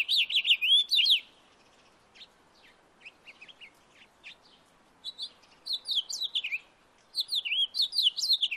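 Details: A house finch sings in a backyard, alternating energetic warbled phrases of swooping high notes with stretches of soft, sparse chirps, three bursts of song in all.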